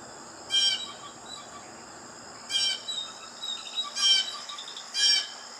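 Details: Blue jay calling: four harsh, raspy bursts spaced irregularly over about five seconds, with a steady high insect-like drone running underneath.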